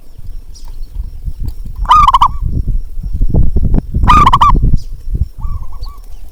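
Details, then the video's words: Zebra dove, a local perkutut, giving its calling coo to rouse doves that will not sing. Two loud rolling, trilled coos and a softer third come over heavy low thumping and rumbling noise. "panggilan untuk perkutut malas bunyi"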